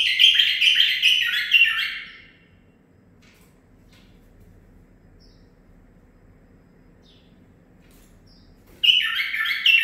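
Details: Captive tutor-trained bulbul, a 9-month-old male, delivers learned Zilzal song phrases: a two-second tumbling rush of bright warbled notes, a long silent pause, then the same rich warbling resumes abruptly.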